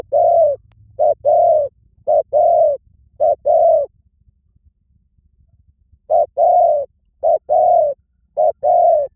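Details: Spotted dove giving repeated two-part coos, a clipped note then a longer hollow one, in two bursts separated by a pause of about two seconds.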